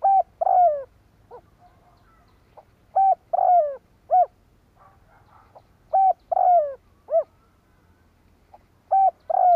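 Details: Spotted dove used as a decoy to lure wild birds, cooing in regular phrases about twenty a minute: two level coos, a drawn-out falling coo and a short dipping final note.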